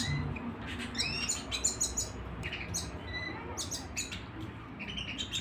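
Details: A canary kept at home sings a loose series of bright, high chirps and brief whistles, spaced irregularly over a faint low indoor hum.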